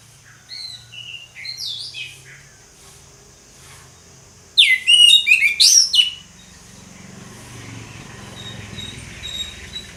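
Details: Orange-headed thrush singing ngeplong: soft scattered whistles early, then a loud burst of fast, looping slurred whistles lasting about a second and a half, followed by faint notes over a growing low rumble.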